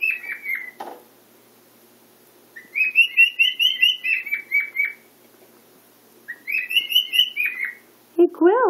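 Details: Pet male cockatiel singing loudly at home, showing off to another cockatiel; bursts of rapid, warbling whistled notes in two phrases separated by a quiet gap, with a short slurred sound at the end.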